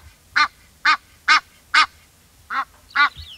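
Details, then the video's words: Egyptian goose honking in a series of seven harsh, nasal calls, slightly irregular in spacing, with a short high squeal near the end. "Egyptian Goose Call"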